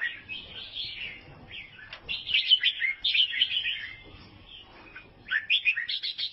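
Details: Bursts of busy chirps and twitters from an albino sooty-headed bulbul in Vietnam, with rapid notes bunched into phrases, a quieter stretch in the middle, then a fresh run of sharp, clipped notes.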